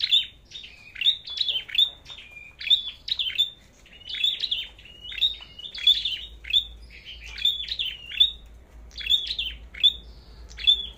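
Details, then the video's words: Red-headed flowerpecker singing in contest, spirit checked before a forest trip: long continuous run of crisp, high falling chips with thin whistled endings, repeated steadily in clusters of two or three, over faint low hum. "Chim Sâu Đầu Đỏ Hót Đấu"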